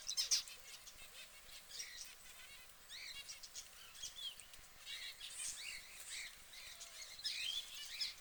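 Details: Yellow canary preening, giving quiet, high, arched chirps in short repeated bursts over a steady bed of faint twittering, with soft fluttering sounds.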